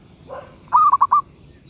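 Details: Zebra dove in medium voice (suara sedang): a soft low introductory note, then four short, loud rolling coos in quick succession against a faint low hum.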